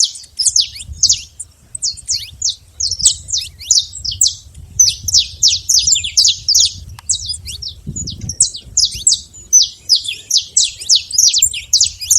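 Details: Wild saffron finch singing free in nature: a long, dense run of sharp, high, downward-slurred chirps, tumbling one after another almost without pause, with a brief low thump near the eighth second.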